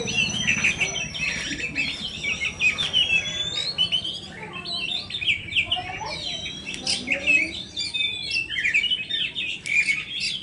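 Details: Oriental magpie-robin, the form known locally as kacer poci, in a dense, continuous run of varied high whistles, slurred rising and falling notes and quick chattering trills, with overlapping phrases and a faint low hum beneath.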